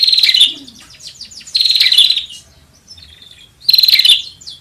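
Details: Bar-winged prinia call used to lure birds: three loud bursts of harsh, pulsed high chatter about every two seconds, with faint thin whistles in the gaps.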